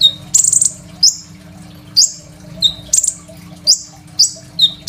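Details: Crimson sunbird giving its master song for training other songbirds, recorded on a phone. A high buzzy trill opens, then sharp, bright, falling notes repeat about twice a second. A faint hum sits in the background.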